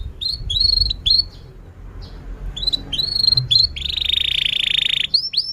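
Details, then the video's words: Canary in persistent long song, used as a lure to get young canaries learning to sing and silent canaries singing: spaced hooked whistled notes, a pause, then a long buzzy sustained note ending in quick upswept chirps over a faint low rumble. "kenari gacor panjang Cuit Cuit EMOSI, Pancingan Kenari Paud Belajar Bunyi"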